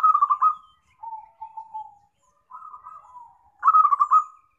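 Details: Trapping lure of a zebra dove: a vigorous rolling coo, then soft level notes and a mid-pitched pulsed phrase, closing with another strong quivering coo burst.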